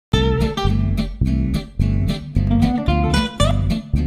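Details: Strummed acoustic guitar music plays in a steady rhythm, with no animal sounds.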